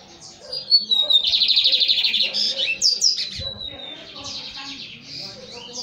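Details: Young, promising male Lined Seedeater finishing its moult, singing high thin whistles that slide into a fast buzzy trill repeated rapidly, then further whistled notes and trills; faint voices and low background noise underneath.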